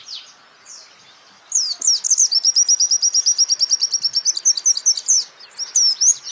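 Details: Training song of a champion white-eye for songbirds: two faint chirps and a pause, then a burst of sharp sweeping notes leading into a fast, steady high trill of about three seconds, finishing with lively slurred twitters.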